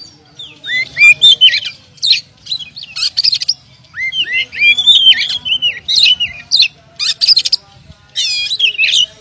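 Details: Oriental magpie-robin, a champion contest bird, singing a rich varied song of whistled, slurred phrases and harsh buzzy notes in quick bursts, with short pauses between phrases.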